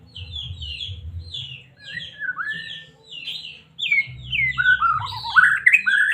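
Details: Singing white-rumped shama from Medan, meant to stir a caged bird's emotions so it sings: rapid short high notes repeated several times a second, a falling whistle, then a louder, richly varied warbling run, over a faint low drone.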